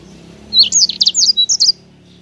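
A sanger gives a quick, high-pitched burst of song lasting just over a second: about a dozen sharp, sweet notes tumbling rapidly together, over a faint low hum.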